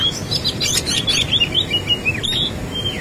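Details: Oriental magpie-robin in full fighting song with a rich fill, a quick run of sharp whistled notes and buzzy chirps, many sweeping up and down, delivered in a dense burst with faint background hum.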